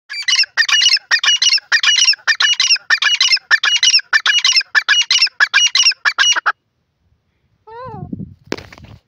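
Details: Black francolin pair calling: a loud, harsh, rhythmic series of grating squawky notes, about a dozen in quick succession, then a short gap, a rising whistled note and a brief low rumble.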